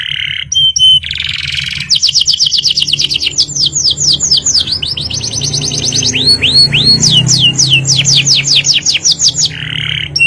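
A canary sings a long, loud run of rapid rolling trills and sweeping whistled notes, several per second, high-pitched and continuous, over a low background hum.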